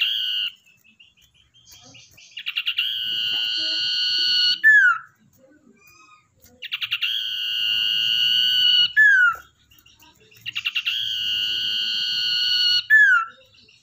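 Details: Tamed wild-caught common iora used as a lure bird sings three phrases, each a burst of rapid stuttering notes swelling into a long level whistle and ending in a short falling slur, repeated about every four seconds.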